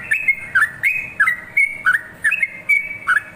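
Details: Busy whistled song of a sooty-headed bulbul, played to train other birds: ringing notes sliding down into short lower trills, repeated in quick rhythm about every half second.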